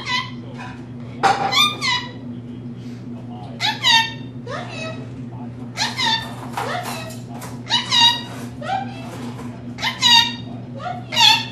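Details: Female pet rainbow lorikeet with a large vocabulary, speaking learned phrases at home: a rapid series of high, nasal, word-like syllables in uneven bursts, roughly one every two seconds, over a constant low hum.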